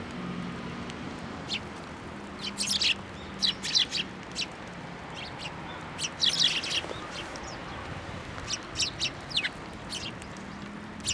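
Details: A flock of sparrows gathering to be fed at a bench at a Tenmangu shrine, November 14, 2023; frequent crisp chirps and clustered tweets, busiest between two and four and six to ten seconds, over a low droning hum.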